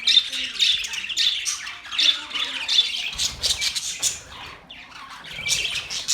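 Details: Raspy squawks and chirps from budgies, October 11, 2023: loud grating notes in quick clusters, then a quieter stretch of softer twitter before the squawking resumes.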